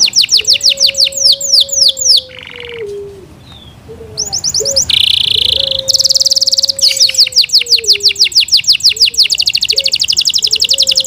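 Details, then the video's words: Kept Yorkshire canary sings fast rolling trills and descending notes. After a short hissy pause comes a harsh buzzy burst, then more rapid repeated trills, with a faint low hum throughout. "Yorkshire canary Nice sound"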